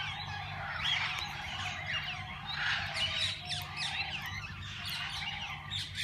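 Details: Many parakeets of different kinds in a walk-in aviary where visitors feed and hold them; a dense, continuous chorus of high chirps and chattering squeaks over a steady low hum.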